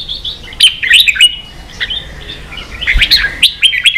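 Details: A caged red-whiskered bulbul stirred into contest singing pours out rapid, cheerful whistled phrases and chirps, nearly continuous, with a slight dip in the middle before the lively chatter resumes.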